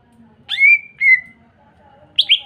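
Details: Greater green leafbird song used to provoke other leafbirds into singing: a long, clear, rising whistle that levels off, then a second falling whistle, a pause, and two quick sharp notes at the end.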